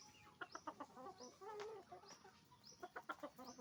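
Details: Hens and roosters making noise on a chicken farm: quick bursts of nasal, harmonic clucks, several birds calling together, with a longer drawn-out squawk in the middle.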